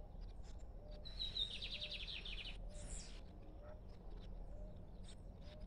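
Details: Free-flying lined seedeater, not caged, singing: a high thin whistle opens into a rapid series of buzzy, slightly descending notes lasting about one and a half seconds, with low background rumble and faint clicks.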